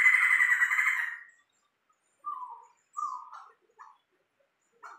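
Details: Caged Sumatran laughingthrush, tame and very vocal: a loud harsh rasping burst lasting about a second, then silence broken by three or four short whistled notes.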